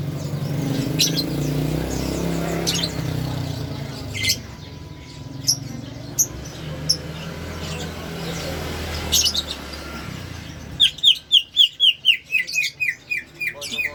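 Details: A Greater green leafbird with an unusual, strange-sounding voice gives scattered chirps, then a fast run of about ten sharp, falling chirps in three seconds, over a steady traffic rumble.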